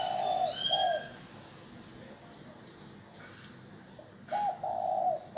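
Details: Spotted dove used as a decoy to draw in wild doves, giving low, mellow coo phrases at the start and end, with a brief higher harmonic bird note early on and quiet background between.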